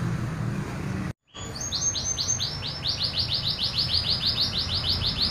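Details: Local canary singing its pure original song: after a brief dropout, a long regular series of rising chirped notes, about four per second, bright and clear over low background noise.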